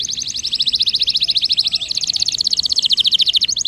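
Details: Canary singing a dense, continuous roll of rapid high repeated notes, shifting pitch slightly midway, played to coax reluctant canaries into singing.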